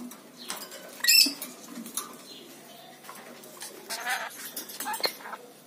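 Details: Lory, a parrot, giving short harsh screeching bursts with a sharp bright squeak, scattered among clicks and rustling noises.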